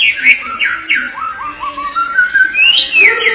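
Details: A white-rumped shama from Indonesia delivers loud, varied whistles: downward slurs, rapid rising notes, a long level whistle and a final high swooping phrase, over a faint background hum.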